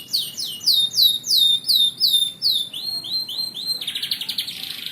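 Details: Canary singing, presented as a model song for tutoring other birds: clear downslurred whistled notes repeated about three times a second, shifting into a fast, dense buzzy trill at the close.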